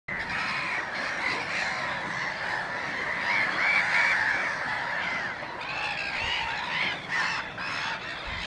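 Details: Black-headed gulls with a recently hatched chick at Messingham Sand Quarry nature reserve keep up a dense, harsh chorus of overlapping raspy cries, several calls every second with no pause.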